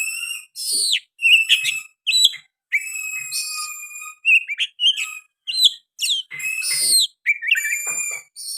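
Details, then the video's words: An oriental magpie-robin delivers a lively song filled with sooty-headed bulbul phrases: loud slurred whistles, a long held tone and sharp, abrupt chips, all jumbled in quick succession with hardly any pause. "KICAUAN KACER GACOR MBESET ISIAN KUTILANG"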